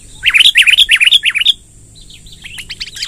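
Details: Sooty-headed bulbul giving a long rolling song used as a lure to gather wild bulbuls: a rapid run of bright, slurred chirps over about 1.5 seconds, then softer fainter notes, with a steady high whine throughout.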